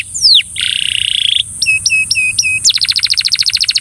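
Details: A Belgian canary sings to coax a companion canary into song. A falling whistle leads into a buzzy trill, then a run of hooked whistles, then a rapid high rattle of repeated notes.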